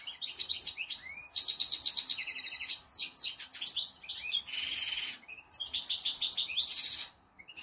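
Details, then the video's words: Two European goldfinches, one six years old, sing a fast, tinkling run of high twitters, trills and buzzy notes with brief pauses over a faint steady hum. "Dos jilgueros🐦"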